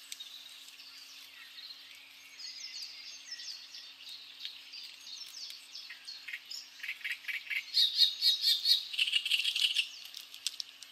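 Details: Great reed warbler song starting with quiet, scratchy chatter, then building to loud, croaking, rhythmic notes repeated in quick series before easing off at the end.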